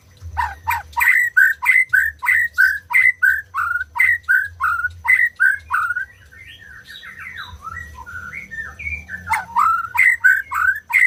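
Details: White-rumped shama song: loud whistled notes with sharp clicks, repeated about three times a second, then a softer stretch of varied warbled phrases before the fast series resumes, over a faint low hum.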